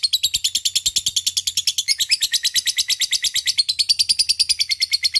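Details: Lovebird ngekek, a long rapid chattering call used as a lure to provoke a rival: harsh buzzy notes repeated about six per second, steady and unbroken throughout.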